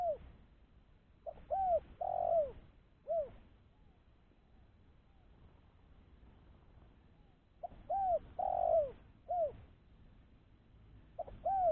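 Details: Decoy spotted dove used to lure other doves, giving two coo phrases separated by about four seconds of quiet; each phrase has short notes, a long sliding coo and a trailing softer coo.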